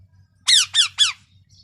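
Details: Three loud, raspy parrot squawks in quick series, each short and falling in pitch, with a faint low hum behind.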